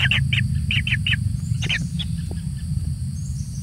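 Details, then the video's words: Single kingfisher chick being fed generously: rapid series of harsh, high chirps, about five in the first second and a half, then sparser notes fading out, with a loud low rumble underneath. "ANAKBURUNG TENGKEK SATU DI MANJA MANJA DENGAN SEBANYAK MAKANAN"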